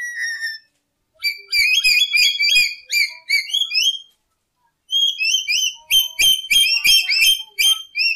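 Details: Lory, known locally as nuri or urip, used to lure birds for trapping: a long falling whistle followed by quick chains of upswept whistled notes and chatter.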